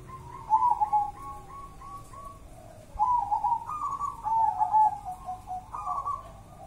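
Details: Local wild zebra dove of Java singing clear, rapid, rolling coo phrases in bursts, with near-continuous cooing in the second half against a quiet background.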